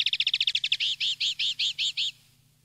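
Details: Common linnet song from a wild-style (campero) tutoring CD for young linnets: a rapid buzzy trill of about fifteen notes speeding past, then six slower, fuller repeated notes, over a steady low hum.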